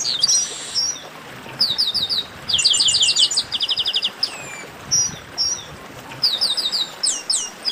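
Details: Chestnut-capped blackbirds in a 'baderna' chorus used to warm up singing birds: bright high whistled notes, rapid repeated trills and falling slurred phrases, several birds overlapping in bursts with short gaps.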